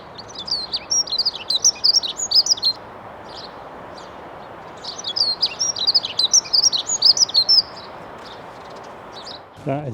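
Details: A male dunnock holding territory in an urban allotment sings while guarding his female; two rapid, high, tinkling warbled phrases, each about two and a half seconds, separated by a pause, over constant low traffic-like rumble.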